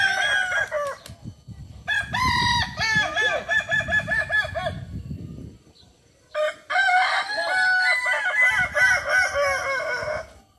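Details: West Sumatran kukuak balenggek, a village chicken breed endemic to Tigo Lurah, Solok, crowing in stepped levels. Short harmonic crows pulse in groups, a quiet pause follows, then a long multi-level crow with low thumping noise beneath.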